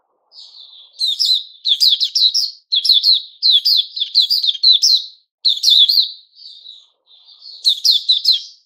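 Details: White-crowned shama, a captive bird growing new feathers, recorded 6 September 2021, giving bursts of sharp, high chirping notes in quick runs, with short pauses between phrases and a softer trailing note near the middle.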